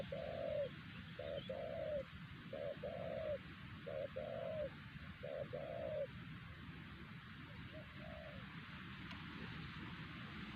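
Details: Spotted dove in the wild at Siosar, the loudest caller at the site during trapping with a lure bird; five or six low short-long coo pairs, fading toward the end into quieter notes and hiss.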